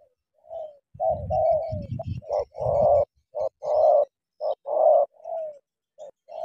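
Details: Spotted dove, a decoy bird meeting a wild rival and ready to fight, gives short and long hoarse coos, some dipping at the end, in an uneven run, with low thumping knocks beneath the early notes.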